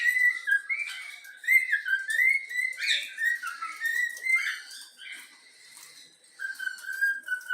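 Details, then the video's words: Yellow-cheek cockatiel kept as a pet whistles the Flamengo anthem it was taught, a string of bright tonal notes in melodic steps, a short quiet gap, then a held falling whistle. "Bochecha amarela cantando o hino do flamengo"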